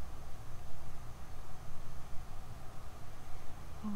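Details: Steady low rumble of outdoor noise, like distant traffic or wind, with no animal calls heard.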